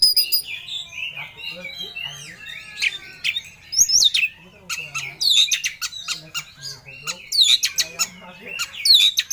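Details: Oriental magpie-robin in full emotion, seeking a rival, pours out a varied song of whistles, harsh squawks and rapid chirps with steep upward-sweeping notes, dense and unbroken throughout.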